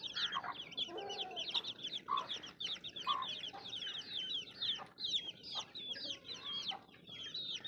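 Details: Many baby chicks cheeping together, a constant stream of sharp, high, falling chirps with occasional louder, buzzier notes standing out from the flock.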